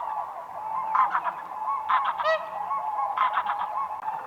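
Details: A flock of whooper swans on a spring lake, dancing on ice, with a continuous chorus of distant trumpeting and short bursts of nearer, harsher honks.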